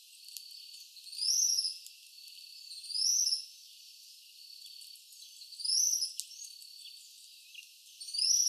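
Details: A tropical kingbird, Tyrannus melancholicus, in São Paulo, Brazil, gives high, sharp twittering phrases that swell and arch, repeated roughly every one and a half to three seconds over soft, thin background chatter.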